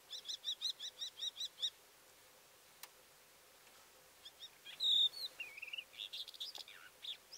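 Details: Calandra lark singing: a quick run of about eight repeated high chirps, a short pause, then a tumbling mix of varied high whistled, squeaky and slurred notes, faint against a quiet rural background.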